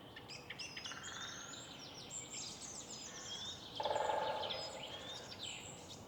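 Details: Morning city park with woodpeckers: one fast burst of hollow drumming taps, about three-quarters of a second long, set against a busy chorus of thin, high chirps and twitters from other songbirds.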